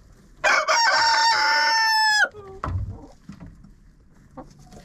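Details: Chicken inside a coop, recorded by a GoPro placed in the coop: one loud, harsh crow lasting nearly two seconds, a stuttering start, a long flat strained note, then an abrupt drop, followed by soft clucks and scratching.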